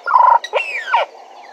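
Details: Bennett's woodpecker at Djuma on a live camera: a short, steady nasal note, then a loud upward sweep and a long slurred descending call.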